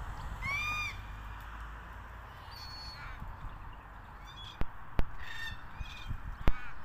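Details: A red-tailed black cockatoo (Calyptorhynchus banksii) eating Casuarina nuts gives one loud, rolling, slightly rising call, then softer harsh notes, with sharp cracking clicks and low wind rumble.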